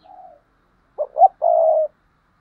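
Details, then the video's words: Paired cooing of spotted doves. A faint, soft coo comes first, then a louder phrase of two quick clipped notes and a drawn-out low hooting coo. "Tiếng cu gáy đôi"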